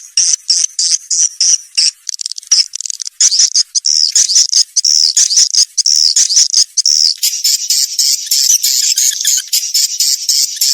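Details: Swiftlet calls used to lure young swiftlets into a new nesting building: rhythmic high chirps about once a second blending into continuous buzzy twittering, with a sharper hissing layer near the end.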